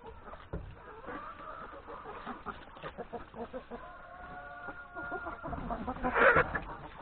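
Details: Hens and three roosters breakfasting in a yard before forest grazing; low scattered clucks with a long steady drawn-out call in the middle and a louder burst near the end, possibly with faint voices.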